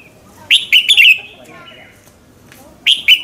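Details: Red-whiskered bulbul singing in the morning as a lure to prompt other birds: a rapid phrase of clear, slurred whistles with a falling tail, a quiet gap, then two more sharp notes.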